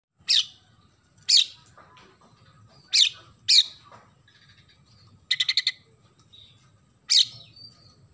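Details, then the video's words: Oriental magpie-robin in full song with a sparrow-imitation repertoire: sharp, high chirps spaced about a second apart, a quick burst of four rapid buzzy notes, then another loud chirp. A faint low rumble runs underneath. "KACER GACOR ISIAN GEREJA"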